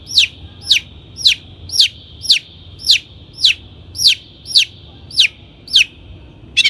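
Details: Long-tailed shrike lure recording for training caged birds: a steady series of about twelve sharp downslurred chip notes, roughly two per second, high and clear above a faint sustained whistle.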